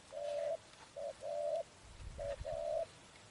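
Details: Spotted dove in a trapping setting utters two pairs of soft coos, each a brief note and then a longer level one, separated by a pause with a low thump.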